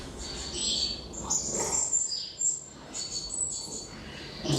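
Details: Several European goldfinches squabbling over food at a bird feeder in front of a house on a snowy day, trading bright, tinkling twitters and sharp chirps in quick, overlapping bursts, with soft wing flutters.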